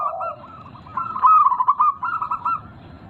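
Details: Zebra dove, local strain with a big voice, used to prompt singing in caged birds: a soft low coo, then a loud, bubbling chain of rapid coos and a shorter follow-up trill.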